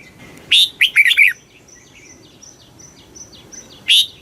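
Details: Red-whiskered bulbul giving very fast stimulating song: a loud burst of short, warbled, up-and-down notes, then thin, faint whistles from another bird, and another loud note at the end.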